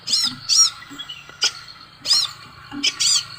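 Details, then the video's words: Scarlet sunbird singing sharp, very high arched notes in short clusters with pauses between, over a faint low background hum. "SEKALI PUTAR BURUNG LAIN IKUT NYAUUTT|| BURUNG SEPAHRAJA"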